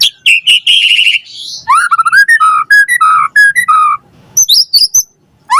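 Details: A white-rumped shama in full song on a lure track for prompting a response; a rapid stuttered phrase opens, then a long sequence of rich, pure whistles stepping between pitches, ending in high rising chirps.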